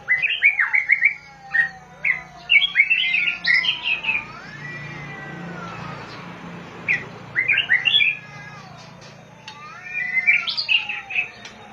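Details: Oriental magpie-robin (binla) delivering bursts of varied whistled and chirping notes separated by short pauses, with a faint passing vehicle and low rumble in the background.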